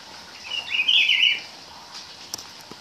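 A Rufous-browed Peppershrike sings one rich, warbled whistled phrase lasting about a second, mid-high in pitch, over faint background hiss and a couple of soft clicks.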